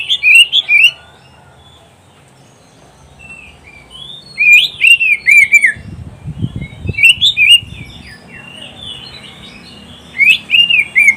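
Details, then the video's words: Oriental magpie-robin song recorded for training caged kacer to sing for contests: short, bright, tumbling whistled phrases repeated after pauses of a few seconds, with a brief low rustling sound midway. "SUARA KICAUAN BURUNG KACER TERBAIK"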